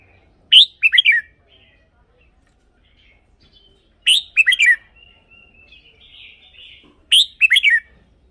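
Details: Red-whiskered bulbul song, used as a decoy or to rouse caged birds. The same short, bubbling phrase of three or four notes repeats about every three seconds against a near-silent background.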